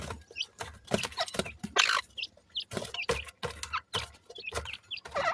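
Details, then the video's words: Francolin chicks clinging to food after eating, described as squabbling with their mother; brief rising chirps overlap sharp clicking and pecking sounds that repeat in irregular clusters. "baby pheasant do not let go after eating food,francolin baby"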